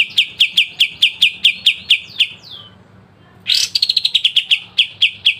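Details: Pied triller, known locally as kapas tembak, in sharp 'besetan' song for training songbirds: a fast series of bright, repeated high notes, a short gap, then another burst beginning with a downward slur.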